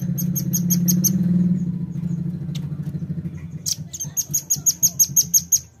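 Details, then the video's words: Velvet-fronted nuthatch calling, used to lure birds: a short run of six thin high chips, then a longer burst of about ten rapid, sharp notes, over a steady low rumbling noise. "PANCING BUNYI RAMBATAN PARUH MERAH"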